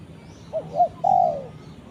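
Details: Spotted dove calling its companion with a three-part phrase: two brief, bouncing coos and then a longer sustained coo that trails off lower, over a soft steady background hum.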